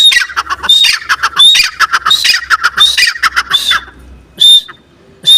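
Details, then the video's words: A partridge gives a rapid series of grating, scratchy notes, each with a clear high whistle on top, repeating steadily for several seconds before a short pause and another burst. "teetar ki boli teetar sound teetar voice teetar ki awaz teetar ki awaaz"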